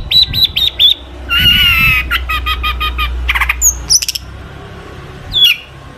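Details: Long-tailed shrike song rich in fills, meant to set other shrikes singing: a few clear whistled notes, a long harsh squawk, then quick clicking bursts and scattered high whistles.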